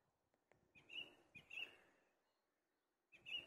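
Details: Song thrush singing from the top of a tree: three loud, bright whistled phrases around a steady high pitch, the first two close together, then a pause of over a second before the third, with faint background noise.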